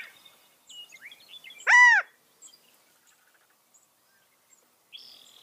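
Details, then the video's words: California quail producing one strong, downward-curving call with many stacked overtones, preceded by soft scattered twitters and followed by quiet background chirps and a brief hiss-like sound. "California Quail | کیلیفورنیا بٹیر | Qauil Sounds"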